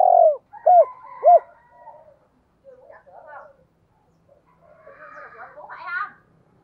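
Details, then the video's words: Spotted dove lure call in giọng thổ style: a falling coo and two short arched coos at the start, followed by faint muffled sounds and a mid-pitched rustle or voice. "tiếng cu gáy mồi, tieng cu gay kich boi nhanh noi hieu qua nhat"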